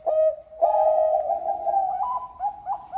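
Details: Bangkok-strain zebra dove singing actively, its voice described as melodious: drawn-out, smooth, low tonal coos that run almost without a break, rising slightly near the end. A faint steady high whine sits in the background.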